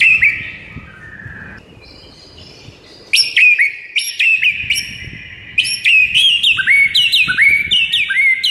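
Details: Shama song from a morning masteran meant to make a mute bird sing: a soft opening whistle, a pause, then loud crisp phrases of high notes dropping into curled whistles, repeated in bursts.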